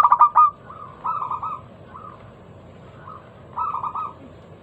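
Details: Local zebra dove lure song to start other doves singing: a loud clipped burst of coos opens, followed by softer rolling phrases of quick coo pulses with gaps between them.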